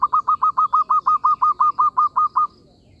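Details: Zebra dove call used as a trapping lure: a fast run of about fourteen short, even notes at a steady mid pitch, clipped and rhythmic, stopping abruptly after two and a half seconds, with faint background hiss.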